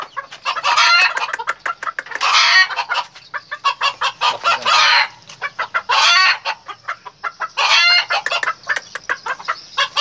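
Red junglefowl crowing in short, harsh, clipped bursts every one to two seconds, with quick runs of clucking notes filling the gaps.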